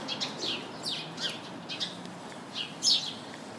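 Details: Busy chirping from house sparrows perched together in a shrub: a quick series of sharp, descending chirps about every half second, ending in one louder, harsher note.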